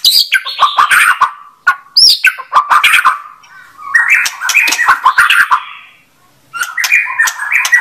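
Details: Dense, scratchy bursts of white-rumped shama song, rasping chatter and buzzy notes delivered in loud clusters separated by short silences.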